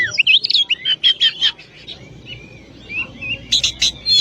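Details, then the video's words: Kacer, the oriental magpie-robin, pouring out rapid chattering notes and clear whistles, then softer drawn-out slurred whistles before a final burst of sharp high chips. "Masteran burung Kacer/Klacer gacor dor nembak durasi panjang"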